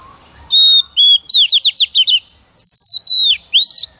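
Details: Female white-rumped shama song meant to stir a male into singing: a sustained whistle, then a rapid string of sweeping slurred notes, another long whistle and a rising phrase.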